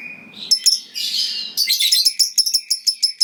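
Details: Lovebird in full song, a long ngekek trill meant to make rival lovebirds answer: a rough, noisy burst at the start, then sharp high chirps repeated about six times a second, steady and even.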